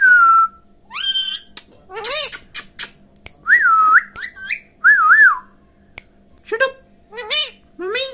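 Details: Pet parrot alternating long, wavering whistles with rapid imitated speech syllables: a drawn-out whistle opens, then clipped word-like bursts, warbling two-note whistles, and more chatter at the end.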